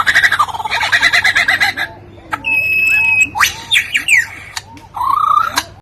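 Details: Lyrebird imitating other sounds and the human voice, giving loud harsh buzzing squawks, then a level whistled tone, sharp clicks, a rising sweep and a final rising buzzy note.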